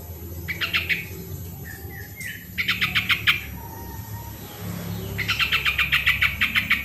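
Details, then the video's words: Sooty-headed bulbul song as a prompt for reluctant birds: long runs of rapid rhythmic pulsed notes, a brief whistled slur between phrases, loudest and most sustained toward the end. "suara original burung trucuk pancingan trucukan yang malas bunyi"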